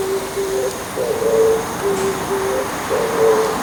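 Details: Oriental turtle dove calling in the morning from atop an antenna, giving low, soft, hooting coos in a steady rhythmic phrase, about twice a second, over a faint background hum.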